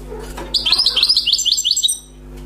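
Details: European goldfinch, freshly trapped wild bird, delivering a short burst of song: about a dozen quick, evenly paced chirping notes in a lively high twitter lasting around a second and a half.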